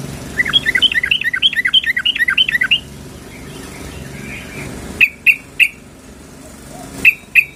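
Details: Female sooty-headed bulbul calling the male, a rapid run of bubbling, warbling paired notes for about two and a half seconds, followed after a pause by several sharp, isolated clicks.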